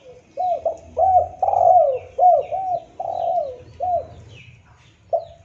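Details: Spotted dove cooing cleanly, a sound used for luring and training: a run of soft, husky coos, some short and upturned, others drawn out and sliding downward, with a brief fresh phrase starting at the end.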